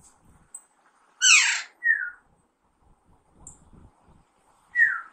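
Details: A young Alexandrine parakeet, pahari tota, in talking training: one loud, grating squawk, then falling whistled notes, the last arriving after a pause. Faint low background noise is present.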